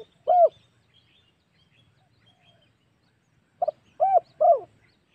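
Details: Spotted dove coos from a hunting lure recording: a single arched low coo, a long pause, then a quick double note and two more arched coos.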